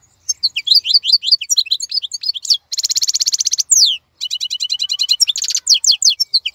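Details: European goldfinch described as a wild-type bird, still singing actively and keeping its plumage shine while other birds are silent in moult; fast liquid twittering, buzzy rattling trills and steep descending sweeps in a continuous high-pitched stream with short pauses.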